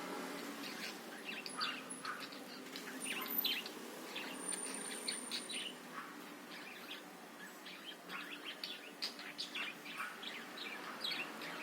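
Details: Budgerigars twittering in a busy, soft chorus, recorded to encourage other birds to sing: many small rapid chirps running together without pause, at moderate volume.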